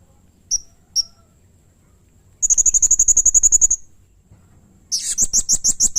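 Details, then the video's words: Blue-crowned hanging parrot (serindit), recorded in lively song as a master and prompt recording for training birds: two sharp high chirps, then a fast even trill of piercing high notes, ending in a buzzier, rapidly pulsed high burst. "masteran suara burung srindit atau serindit gacor || Pancingan suara burung serindit"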